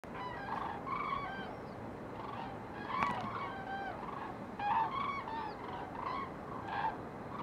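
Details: Cranes flying in October, on October 19th, calling together in a flock: loud, harmonic, honking trumpet-like notes repeated and overlapping throughout, over a steady background hiss.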